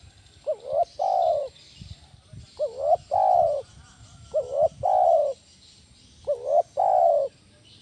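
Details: Loud lure call of a spotted dove, 'kuk 1' style, used to train other doves: four two-part cooing phrases, each a brief wavering note then a longer steady coo, repeated roughly every two seconds over faint background hiss.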